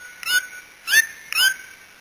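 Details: White-throated toucan from Brazil uttering three quick, loud yelps within about a second and a half, each sharply rising then dropping, ringing and slightly hoarse, over a steady thin high-pitched background drone.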